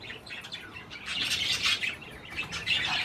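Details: Budgerigars feeding on cherry tomatoes give a dense, continuous warble of high chirps and squeaky notes, several birds chattering at once.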